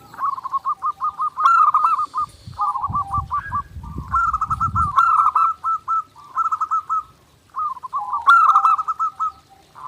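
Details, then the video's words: Zebra dove sings nonstop, clear master for daily training: chains of rapid stuttering coos forming rolling phrases, with a low rumbling thump for a few seconds in the middle. "SUARA PERKUTUT GACOR NONSTOP | MASTERAN PERKUTUT JERNIH UNTUK LATIHAN HARIAN"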